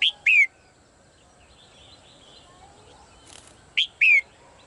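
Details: Two pairs of clear whistled notes from a caged female bird, a short upslur followed by a longer falling slur, with a brief rustle between them.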